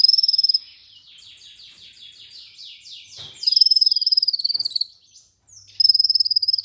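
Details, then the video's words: Olive-backed sunbird training audio to make other sunbirds sing: fast, rattling high-pitched trills in bursts of about a second, separated by softer buzzy trilled passages and short pauses. "MASTERAN merangsang KOLIBRI NINJA UNTUK PANCINGAN KONIN"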